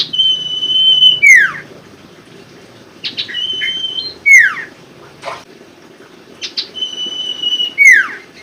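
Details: Common Iora lure song for birds that will not sing: three drawn-out, level whistles, each ending in a swift falling sweep, repeated about every three seconds, with a soft click between them.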